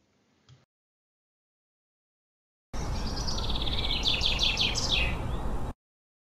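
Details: A male Common Chaffinch in Central Europe sings its ringing early-spring song, a three-second phrase: bright notes tumble downward and speed up into a flourish, ending with a short squeezed note, over a steady rushing hiss.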